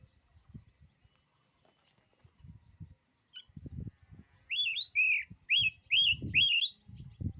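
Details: ['Oriental magpie-robin song said to make rival magpie-robins lose their nerve: after low thumping knocks, a run of loud, clear whistled phrases, each a sharp upslurred note with a wavering tail, repeated about every half second.']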